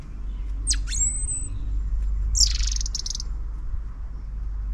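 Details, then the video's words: A robin gives two brief bursts of high, thin song over a steady low rumble: quick sweeping notes ending in a drawn whistle, then a dense jingling phrase. "A Robin’s song"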